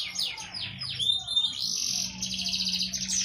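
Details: Canary singing a song used to train young birds: sharp swooping downslurred notes, then a sustained fast buzzy trill, high and steady, with a low background hum.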